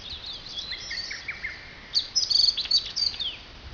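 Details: Forest birdsong below Mount Fuji near Fujiyoshida, Japan, with the mountain's snow almost gone: bright, high-pitched whistles and fast chirping trills from more than one bird, a busier burst in the second half, soft steady background noise.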